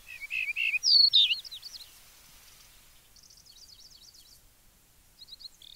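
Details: Loud, close yellow-breasted bunting song: three quick repeated whistled notes rise into a bright, high slurred flourish with wavering notes. Softer, high, thin twitters from other birds follow in a calm, quiet outdoor setting.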